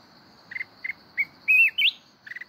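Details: A mountain red-whiskered bulbul sings the forest-voice kít bổi style: paired clipped chips, then a bright warbled whistle that dips and climbs sharply, closing with a quick trill of chips, over a constant high hum.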